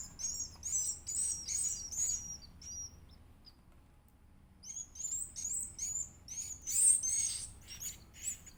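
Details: Edible-nest swiftlet chick being fed, giving high, thin, rapid chirps in bursts that rise and fall, with a short quiet pause midway before the insistent begging resumes more loudly.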